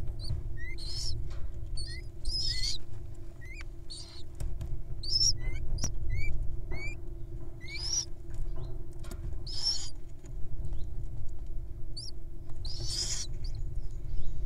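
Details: Wild owls begging at feeding time: rough, hissing screeches roughly every one to two seconds throughout, while short upslurred whistles and chirps of other birds keep sounding in the background.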